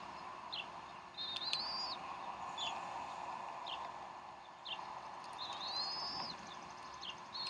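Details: At the Decorah nest on 12 April 2012, 3:10 pm Central Time, a bald eagle mother feeds the young; thin rising whistles alternate with short downslurred chips spaced a second or two apart, steady hum underneath.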